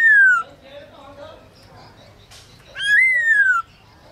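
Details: Kept black-throated laughingthrush in training, singing a forest-voice song at midday: a falling whistle, a long quiet pause with low murmuring, then a bright note that rises and slowly slides down.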